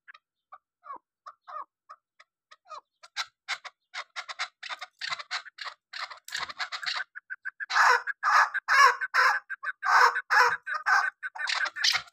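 Chukar calling: soft, spaced clucks that quicken into a loud, rapid, harsh chattering rally, the notes running together in dense bursts.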